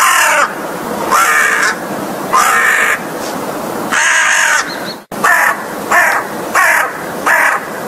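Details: American crow (Corvus brachyrhynchos), caws.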